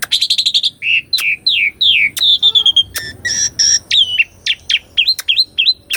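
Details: Asian pied starling song for training a caged bird, recorded on a Sony A6400: a fast stuttered trill, then a series of downslurred whistles, a level whistle and several short wavering upslurred notes.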